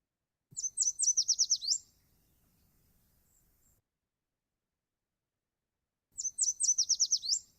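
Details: One of the male Yellow Warbler's songs, rendered "sweet sweet Shredded Wheat", given twice, four seconds apart: a bright, high series of quick sweet whistled notes lasting about a second, with a hurried finish.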